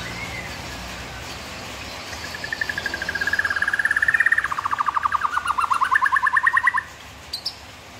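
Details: White-rumped shama producing a long rapid rattling trill of repeated notes lasting several seconds, wavering slightly in pitch before stopping abruptly, with two brief high notes after.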